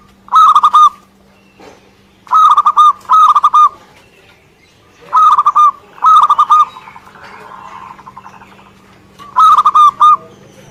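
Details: Zebra dove, local Indonesian bird, singing keenly: paired bursts of bubbling, stuttered coos every few seconds, one faint rolling coo between them, over a constant electrical hum.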